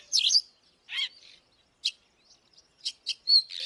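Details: Oriental magpie-robin lure bird giving scattered single notes: a loud rising slur, a harsher buzzy note, then several short clipped chips spaced irregularly with silences between.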